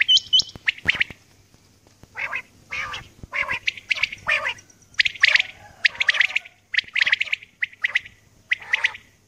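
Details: A female common quail calling in the early morning gives harsh, wheezy rasping notes, each short and broad, in irregular bursts about every half second, over a faint low hum.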